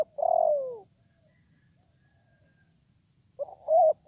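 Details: A big-voiced spotted dove used as a lure gives one long coo that slides downward, then silence, then the start of a new phrase of choppy short coos, over a constant thin high whine.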